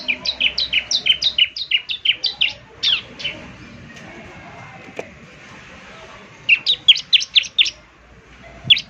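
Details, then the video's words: Ciblek semi in lively 'gacor' song, meant for morning playback so other birds answer: a fast run of about twelve high, sharply dropping chirps, a quiet gap of three seconds, then another quick run of similar notes. "ciblek semi gacor, putar tiap PAGI agar ciblek semi ikut nyaut bunyi GACOR"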